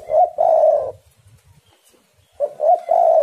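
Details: Spotted doves singing against each other as a lure recording: two low, even cooing phrases, one at the start and one after a second and a half of near silence.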